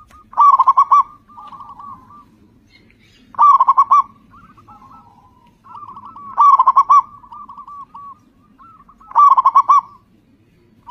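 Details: Zebra dove of local type, singing often and loudly as a lure for other birds: four bubbling trilled phrases at steady three-second intervals, softer doves cooing in between.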